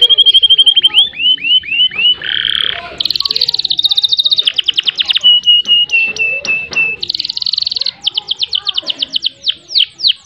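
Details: Full-voiced canary song meant as a tutor recording to prompt a silent canary into long rolls. Level whistled notes give way to a buzzy burst, then rapid rolling trills and runs of clipped, repeated high notes.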